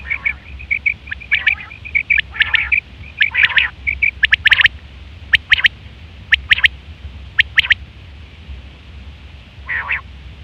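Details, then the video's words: Female quail calls for luring quail: a busy run of high chirps and short trills at first, then spaced groups of two or three sharp notes, ending in a single raspy burst, with a low hum underneath. "female quail sounds"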